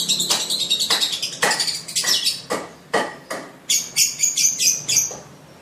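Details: Lovebird of the blue sibiru colour, young and learning ngekek song, utters a dense burst of harsh high chirps, then a slower run of clear, ringing tweets.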